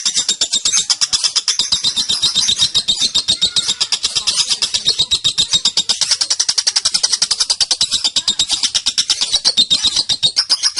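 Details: Female lovebird, a young bird under five months, giving the long 'ngetik konslet' ngekek chatter used to lure and tutor other birds: a dense, rapid, high-pitched rattle of quick pulses continuing without pause for nearly eleven seconds.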